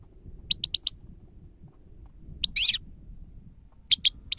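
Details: Grey-headed goldfinch on a lure recording gives a string of short, thin, high call notes, then a brief buzzy twitter and two more sharp chips, over low background rumble.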